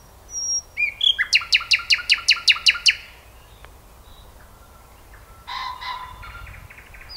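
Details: Common nightingale song: a high whistle, then a rapid series of about nine loud, even, clicking notes in two seconds, a pause, and a short harsh rattling phrase.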